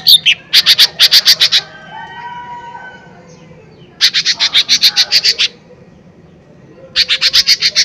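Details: Lesser green leafbird, a lively singing male used as a lure to provoke other birds, gives loud bursts of rapid sharp high chips, about eight per burst, repeated in three bursts with quiet gaps and faint lower whistles between.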